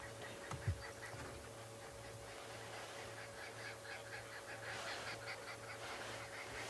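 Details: On a quiet, peaceful 3 September afternoon game drive, arrow-marked babblers chatter in the distance while a leopard looks up to listen: a raucous, rapid chorus of harsh notes building in the second half, over an engine-like hum.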